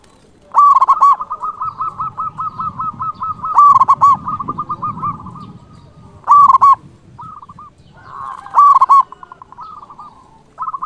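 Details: Local zebra dove in loud, emotional song to call rivals: long fast trills of soft notes punctuated by four strong, rolling coo phrases spaced a few seconds apart.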